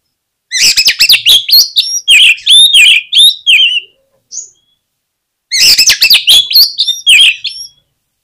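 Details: Oriental magpie-robin song used to stir other magpie-robins to sing; two long bursts of rapid, varied whistles and scratchy chatter, with a brief note in the gap.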